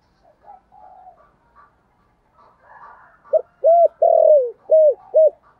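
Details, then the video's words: Thổ-style spotted dove cooing meant to call wild birds in: faint soft murmurs at first, then a loud five-note phrase near the end, short coos around one long, drawn-out falling note. "Tiếng chim cu gáy giọng thổ gáy gọi bổi nhanh về cội"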